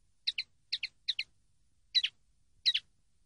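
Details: Common linnet recorded for a training CD: three fast paired chirps, then two fuller, buzzier double notes, all high and clear over silence.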